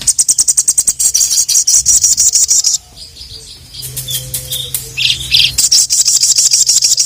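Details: Ruby-cheeked sunbird (sogon), a kept bird in full voice, challenging rival males with bursts of shrill, high chirps repeated about three per second, a short pause with a few thin notes, then the fast chirping resumes.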